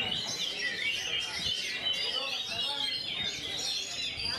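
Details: Oriental magpie-robin singing in a rapid continuous roll with short pauses, a dense stream of whistled and chattering notes high in pitch, with a busy background of other birds.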